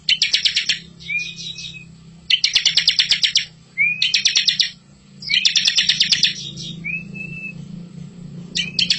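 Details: Bar-winged prinia master song for training young birds: repeated loud buzzy trills, each followed by a short rising whistle, over a steady low mechanical hum.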